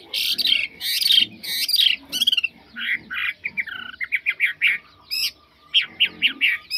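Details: Chinese hwamei for sale, said to sing very well without faults, pouring out loud, varied whistled and slurred phrases: harsh rapid notes first, then clear rising and falling whistles in quick bursts.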